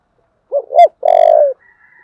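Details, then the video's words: Spotted dove in the 'giọng thổ' voice style, in intense, fiery calling: a loud, low coo, two short rising notes then a long, steady hooting note. A faint, thin, high tone trails afterward. "Cu gáy giọng thổ/ thúc căng lửa"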